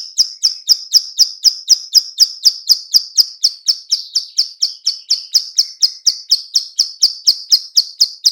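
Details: Bar-winged prinia, female, clicking call used to lure birds: an even, fast train of bright, sharp high clicks about four per second, continuing unbroken throughout.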